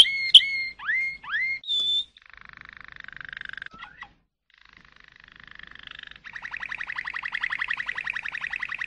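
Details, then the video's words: Malinois canary performing: bright doubled whistles and rising slurred notes, a steady held whistle, a soft low rolling trill, a brief gap, then a fast even rolling tour building in loudness. "chant canari malinois;canto canario malinois;تغريد كناري مالينوا"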